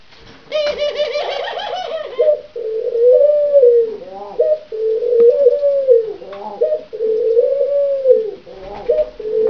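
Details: Courting gray ringneck (Barbary) dove of a pair opens with a rolling, laughing trill, then gives low, arched coos about once a second, each swelling and falling, in a small quiet room.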